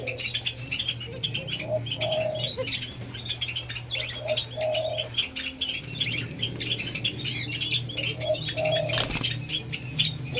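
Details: White-eared brown dove, or alimukon, being tamed, repeats paired low coos, a quick note then a longer hollow one, three times over ten seconds amid dense chirping from other birds, a low background hum and a sharp knock.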